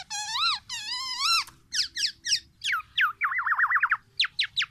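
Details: Tame, frequently singing black-naped oriole giving its loud, characteristic song: drawn-out nasal upslurred notes rich in overtones, then a run of quick downward whistled strokes and a rapid wavering trill, ending with sharp high notes.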